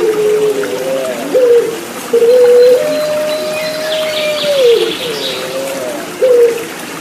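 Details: Puter Pelung turtle dove song with trickling water, intended to bring caged birds back to singing; a long level coo bending down at its end, framed by shorter low coos, faint higher chirps in the background.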